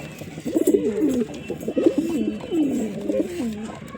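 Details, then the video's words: Pigeons produce soft, gurgling, rolling coos in three clustered bouts, each phrase swooping up then sliding down, against a low background hum. "Pigeon Sound Effect"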